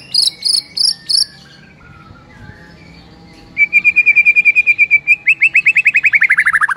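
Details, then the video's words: Morning white-rumped shama masteran song: four bright, high doubled chirps, a short pause, then a fast, rattling trill of repeated notes that gradually slows and falls in pitch. "1 MENIT LANGSUNG GACOR ON DENGAR MASTERAN MURAI PAGI HARI INI"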